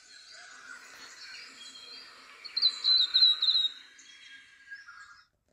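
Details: Flame robin at Glenroy, on a cycle path near Widford Road, or possibly from added reference call recordings: a high, thin twittering phrase of quick rippling notes lasting about a second, over a steady background hiss.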